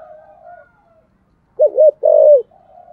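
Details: Spotted dove kept as a decoy, 'thúc gù' style with 'giọng sấm thổ' voice; a single loud phrase of a wavering double hoot then a long slightly falling coo, preceded and followed by faint low humming coos.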